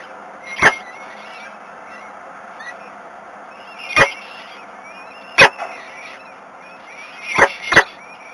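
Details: Peregrine falcon calling at feeding time on a nest in Włocławek, Poland, 7 May 2021, 12:42: a few sharp, rasping single calls spaced several seconds apart, ending with a quick double call, against a faint constant hum.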